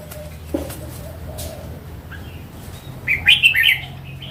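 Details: Mature wild red-whiskered bulbul sings one lively, jumbled phrase of bright notes near the end, following quiet chirps and a low hum.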